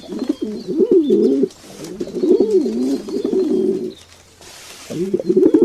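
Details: Pigeons cooing in a series of rolling, wavering low notes, several phrases separated by short pauses, with a soft rustle between them.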